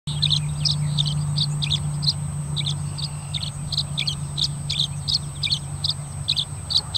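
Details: A male Tree Swallow perched on a crossbar gives its typical song, a repetitious up-and-down series of quick, bright, liquid chirps in uneven bursts, about three per second, over a steady low hum and a thin high whine.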